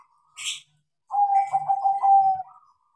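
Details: Trained, tame crossbred zebra dove of Bangkok type singing one phrase: a brief click, then a rolling string of soft coos that settles into a long, even purring note lasting over a second.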